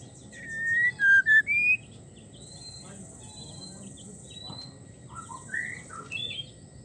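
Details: Female white-rumped shama calling to a male while in breeding condition: a few loud clear whistled notes sliding up and down, then quieter scattered whistles and a steady high hiss in the background.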